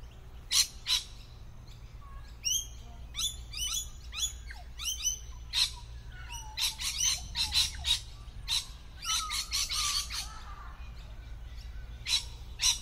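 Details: Lorikeets calling from trees where their plumage camouflages them well. Dense bursts of sharp, shrill screeching notes, often overlapping, repeat rapidly throughout, over a low steady background hum.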